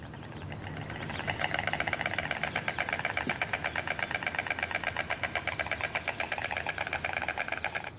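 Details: White Stork in a Polish forest village during mating season, back from wintering in Africa, nesting on poles and roofs: a fast, hollow wooden bill-clattering rattle, a mating call, starting after a second and running steadily six seconds over soft hiss.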